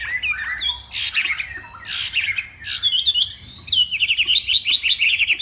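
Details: Hwamei from Northwest Vietnam singing a morning contest song. Harsh bursts alternate with looping whistles, ending in a rapid string of short, bright, repeated notes.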